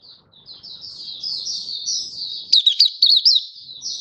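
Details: Malaysian white-eye singing happily as a kept bird in Singapore on a warm, sunny, stable day, 20 March 2023: a soft rambling high warble that swells into a rapid string of sharp chirps, with faint low murmur beneath.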